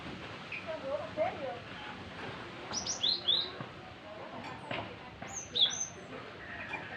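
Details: Young Java sparrow, still showing some green and bought as a wild-caught bird, giving scattered high, thin chirps and short downslurred notes, a few paired, over a low murmur of background noise.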